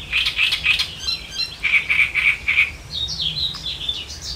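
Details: A great reed warbler (Acrocephalus arundinaceus) on the Elbe river, Germany, sings harsh, grating notes repeated several times in quick succession, then shifts to higher, squeakier phrases. Faint background hiss.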